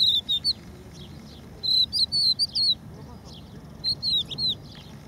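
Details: Strictly protected crested lark singing on the beach at Empuriabrava: crisp whistled notes sliding up and down, grouped in three bursts of about four notes each, with quiet gaps and faint background hiss between.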